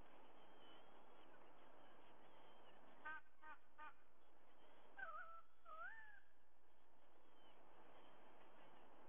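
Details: Wild white-bellied sea eagle recorded at its Sydney nest by a nest camera on 30 September 2022 at 05:44, before dawn: faint, quick honking yelps in two short bursts, the second sliding upward, over steady low rumble.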